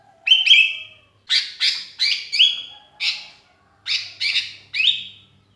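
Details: Lonely sooty-headed bulbul calling for companions, used as a lure; brisk harsh chirps with upward-flicking whistled ends, given singly and in quick pairs, with a faint low hum at times.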